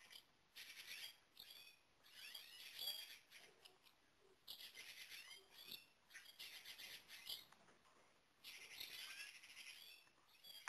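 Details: A song thrush fledgling, found on 12 June 2012 after leaving the nest too early (presumably disturbed, e.g. by a cat) and kept at a wild bird rescue station, gives harsh, hissing squawks in repeated bursts of a second or so.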